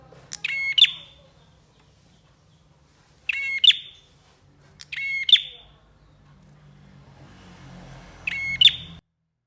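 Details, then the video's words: Bar-winged prinia delivering four rasping buzz-and-chip phrases at uneven intervals over about nine seconds. A soft hiss rises near the end before the recording cuts off. "MASTERAN BURUNG PRENJAK GACOR"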